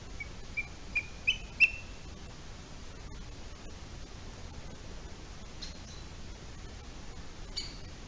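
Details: Booted eagle at a nest in Spain, filmed by a nest cam at 10:39 a.m. on 23 July 2020 with eaglets aged 45 and 47 days: four short, high whistled notes growing louder over about a second, then two faint notes, over background hiss.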